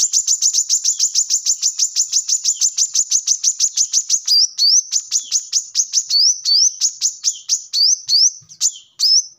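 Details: Brown-throated sunbird song for luring or training birds: a fast series of sharp high chips, about three per second, then upslurred whistled notes interleaved with chips in the second half.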